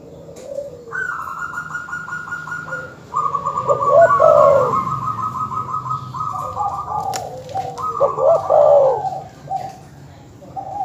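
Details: Dove calling to provoke rival birds: overlapping mellow coo phrases follow one another almost continuously, each with quick stuttered notes and a warbling, rolling ending, over faint background hum.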